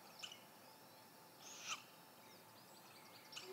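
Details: A great grey owl at a nest gives three faint, hissing screeches spaced over a few seconds against a quiet background. It is 28 May 2017, as an older owlet leaves the nest and explores the ground.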